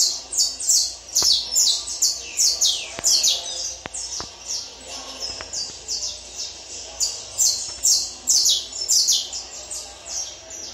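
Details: Peruvian saffron finch kept for tournament training, singing a long run of high, down-slurred notes, about two each second, each sharp and slightly buzzy, with faint clicks and knocks beneath.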